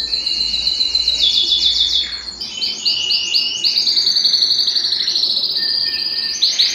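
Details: Belgian canary song used to stimulate singing and bring females into breeding condition: continuous high rolling trills and warbled phrases, rapidly repeated notes shifting in pitch, with a low hum early on.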